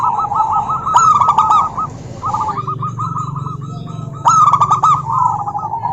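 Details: Female zebra dove of the local type calling a rival, repeating warbling trilled coos with two bursts of sharp clicking notes and a low hum beneath.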